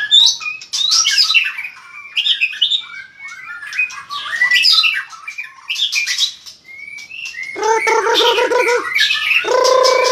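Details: White-rumped shama, long-tailed, singing strongly with tail flicks: varied rising whistles and chattering phrases, broken by short pauses, ending in lower harsh repeated notes and a loud nasal burst.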